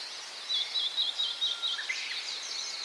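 Gouldian finch giving a run of thin, high, hissy notes, about six in quick succession, over a steady background hiss.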